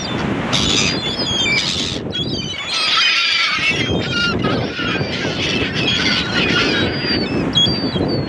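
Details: Gulls calling over a steady rushing background, with loud harsh harmonic cries and thin high squeals overlapping throughout.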